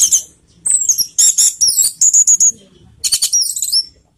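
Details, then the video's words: Orange-headed thrush in the fast 'teler' singing style, used as a lure to raise emotion and breeding urge: very high, rapid, sharp twittering and whistled phrases in dense bursts, separated by brief pauses. "PANCINGAN ANIS MERAH TELER || menaikan emosi dan birahi"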